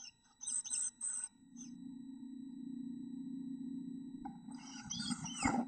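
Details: Chickadee nestlings in a bird house nest box give high, hissy, buzzy bursts of chatter in two short spells over a steady low hum.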